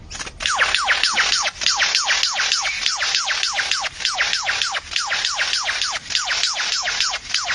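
Albert's lyrebird pours out a fast run of bright whistled notes, each sweeping steeply downward, about three per second without pause.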